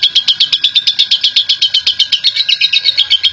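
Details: Long ngekek chattering from a national champion lovebird, meant to make other lovebirds sing; an unbroken, machine-like string of raspy chirps repeated quickly and evenly across the whole stretch, over a faint steady hum.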